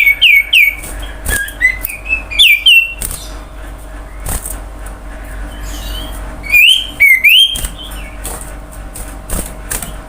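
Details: Common iora song meant to coax other birds to sing: clusters of rising whistled notes repeated in bursts, mixed with frequent sharp clicks and a low steady hum.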